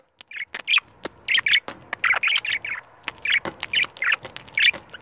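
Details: Pet budgerigars, a pair confronting a camera they dislike, utter short squeaky chirps in uneven bursts, roughly one every half second, with faint clicks between them.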